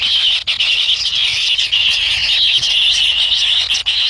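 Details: Nestling kingfishers begging inside the nest while waiting for a parent to bring food. A steady, high, rasping drone with faint wavering whistled overtones runs throughout, with occasional soft knocks.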